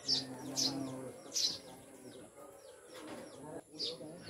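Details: Pet Eurasian tree sparrows, called maya and described as mountain birds, utter a few brief, bright chirps at uneven intervals over low human talk and a constant thin high tone.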